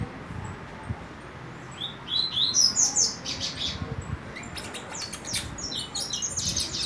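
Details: Four-month-old saffron finch in its juvenile moult: quiet start, then a burst of high squeaky twittering notes, followed by softer, rapid chirps toward the end.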